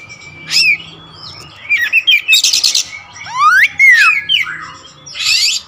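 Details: Oriental magpie-robin of the all-black wulung raja form, noted for a huge, varied song repertoire; clear whistled notes and sweeping rising and falling slurs alternate with harsh buzzy bursts, with pauses between phrases.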